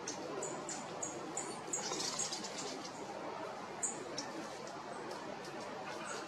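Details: Two pink robins (Petroica rodinogaster) at the Geelong Gardens, Australia, calling against each other with short, dry, high ticks, several in quick succession then scattered, over a steady background hiss.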